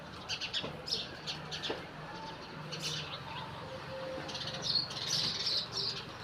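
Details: House sparrows calling at dawn beside a temple as day breaks: a busy, faint chatter of high, sharp chirps repeated rapidly and overlapping, with soft tonal notes underneath.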